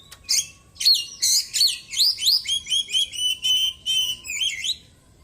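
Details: Oriental magpie-robin, white-breasted and caged, in good voice after its moult, singing small-bird mimicry: loud downslurred whistles giving way to an even sequence of evenly spaced, ringing notes, then fading out.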